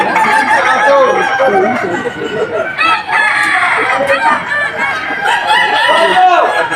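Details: Kukuak Balenggek roosters in the Boko class final, the top class of a crowing contest at Sawahlunto, West Sumatra, 2025. Long, harmonic crows overlap continuously, several birds at once, with stepped pitch changes and steady crowd noise in the background.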